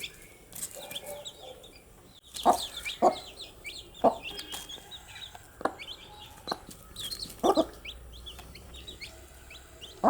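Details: Baby chicks are active through the day, chirping in a dense high chorus of short peeps, with repeated sharp knocks and tapping sounds and a brief quiet gap near the start.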